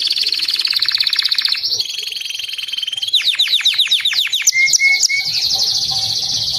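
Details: Singing white crested Belgian canary: a long fast buzzy trill, a burst of descending sweeps, then short clear whistles and another trill.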